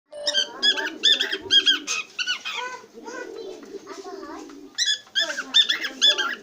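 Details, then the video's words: Cockatiel singing a jumble of short chirps, warbled notes and slurred whistles, over a lower continuous chattering sound. "Singing Cocatek Bird"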